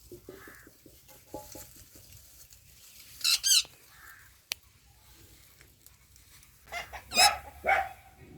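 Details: Indian ringneck parakeets fighting: quiet clicking and chattering notes early on, then two bursts of harsh, raspy, broadband screeches, the second burst repeated several times near the end, over a low background hum.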